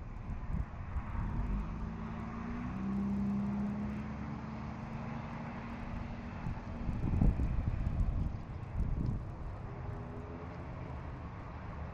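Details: Low, steady engine rumble from passing traffic and an aircraft overhead, with no animal calls heard.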